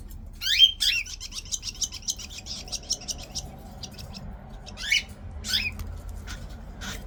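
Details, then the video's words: Baby cockatiels being spoon-fed indoors at feeding time: a few rising squeaky begging calls between bursts of rapid ticking and clicking sounds. "baby cockatiel feeding time"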